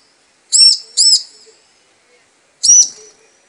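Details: Female bar-winged prinia calling the male: two high, arched chirps in close succession, a pause of over a second, then a single matching chirp. Each note rises and falls. Background is quiet.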